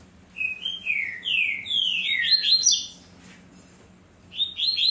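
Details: Double-collared seedeater, caged, singing tui-tui song: several slurred whistles descending in pitch, then a fast rising string of bright notes, a pause, and the phrase beginning again; a man speaks briefly afterward.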